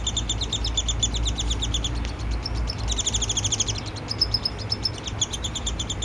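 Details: Downy woodpecker nestling begging while being fed by its father, July 12, 2026, in a yard in Lethbridge, Alberta, Canada; rapid high chirps come in rattling bursts with short pauses over a steady low rumble.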